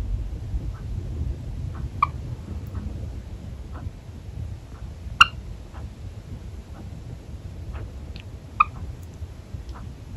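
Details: A Java sparrow that seems angry but is actually playing gives three sharp, clicking chips a few seconds apart, with fainter ticks between them, over a low indoor hum.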